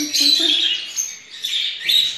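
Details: Pet Indian ringneck parakeet producing mimicked speech, a hoarse high-pitched babble of word-like syllables with a brief pause, then another short rasping phrase.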